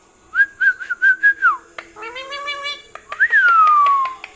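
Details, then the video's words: Parrot kept indoors at night, wanting churi and not wanting to sleep; a string of short whistled notes, then a drawn-out voiced, nasal utterance, then a long whistle that rises and falls away, light clicks throughout. "Funny parrot talking"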